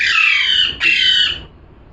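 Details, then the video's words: A parrot lets out two harsh, screechy squawks back to back, the first longer, the second slightly shorter, with only faint room noise around them. "parrot🦜🦜🥰 #calling sound"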